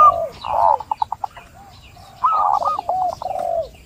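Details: Fainter zebra dove coos used as a lure for a bird reluctant to sing. A wavering coo breaks into a few clipped pulses, then a second softer trilled phrase follows after a gap.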